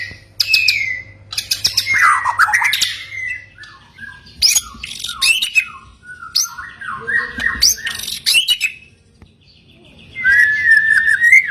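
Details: Song of a white-rumped shama, used to set off silent shamas: rich, varied phrases mixing harsh chatters, swooping whistles and clicks, a short pause, then a downward-curving whistled phrase.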